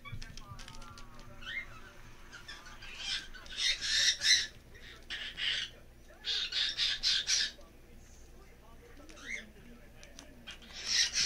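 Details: A pet green-cheeked conure meets cockatiels and gives grating, broadband squawks in rapid clusters, with quieter pauses and faint chatter between the bursts.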